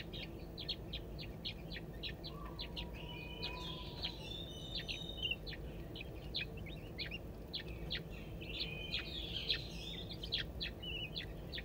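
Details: Three young crested wood partridges, aged 22 and 11 days, foraging with their parents in a zoo enclosure at Saint Louis; many short, sharp, high peeps repeated rapidly and unevenly, with a few longer chirps and a faint low whistle.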